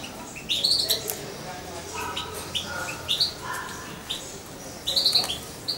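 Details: Young European goldfinch about two months old, hand-fed with a syringe and kept close to its owner, gives short high chirping notes in small bursts, with quieter thin chirps and faint human voice between them.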